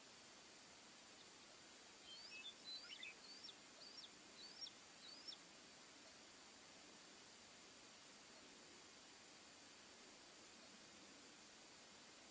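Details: Bald eagle family at the Fraser Point nest with three chicks, recorded 26 October 2020: a quick run of thin, high chirping notes that rise and fall, about a dozen in three seconds, then steady background hiss.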